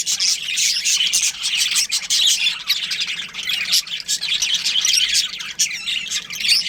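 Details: Many budgerigars in a colony that includes a breeding pair chirp and squawk together in an unbroken high chatter, swelling and fading in short waves.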